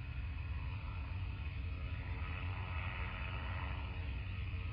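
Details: Steady low rumble with dense broadband background noise and no animal calls.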